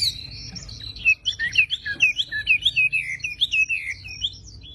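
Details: Javan pied starling in full, lively song: a fast run of loud, slurred whistles that dip and rise, about two per second, under a steady wash of thin, high chirping notes.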